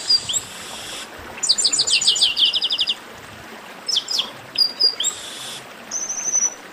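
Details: Noisy 'baderna' of chestnut-capped blackbirds meant to warm up singing birds; a buzzy note, a rapid chattering run of sharp high chirps, then scattered thin whistles and chips.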